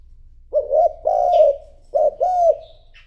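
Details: Spotted dove used as a decoy, cooing to call in wild doves: two low, mellow cooing phrases, each a short note followed by a longer drawn-out coo, about 1.5 seconds apart, with faint high chirps in the background.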